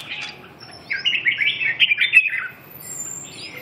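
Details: Red-whiskered bulbul singing: a quick, warbled phrase of bubbling, slurred whistles lasting about a second and a half, followed by a fainter rising note near the end, against quiet background.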